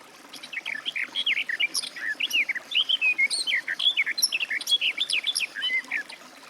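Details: Garden warbler (Sylvia borin) warbling in an unbroken stream of quick, liquid notes lasting around five seconds, varied in pitch and closely packed.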